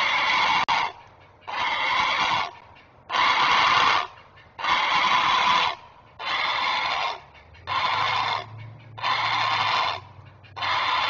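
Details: Great blue heron parent guarding its young at the nest, filmed by a nest camera on 19 May 2023, giving harsh, raspy, broadband squawks about once every 1.5 seconds, eight calls in a steady series, with a low hum beneath.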